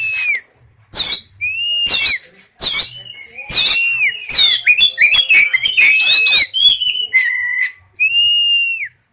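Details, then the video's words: Breeding-condition Oriental magpie-robin with loud song: harsh chattering bursts mixed with clear, drawn-out whistles that rise and fall in an arch, the final long whistle standing alone. "Suara burung Kacer gacor birahi, burung kacer over birahi"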